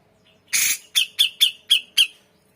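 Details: Energetic grey-cheeked bulbul, recorded as a tutor track for magpie-robins and shamas: a single harsh, hissing note, then five evenly spaced, sharp metallic chips about a quarter second apart.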